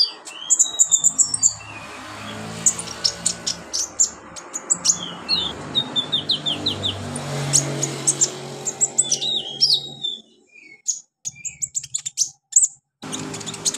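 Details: Olive-backed sunbird, training recording for inexperienced captive birds: long run of quick, high-pitched chirps and slurred whistles in irregular bursts, over a low rumbling background, briefly dropping to silence near the end.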